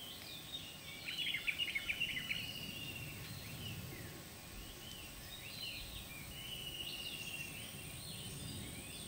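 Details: Chestnut-headed bee-eaters at Clearwater Sanctuary Golf Resort, Perak, Malaysia, around 5 pm on 3 February 2016: a burst of rolling, trilled chirps, then softer scattered twittering calls over a steady hiss.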